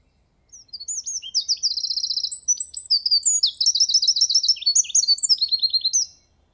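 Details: Eurasian wren (Troglodytes troglodytes) male singing to mark territory: a loud, high, rapid, hurried song of about five seconds, sonorous fast trills and sharp chattering notes run together without pause.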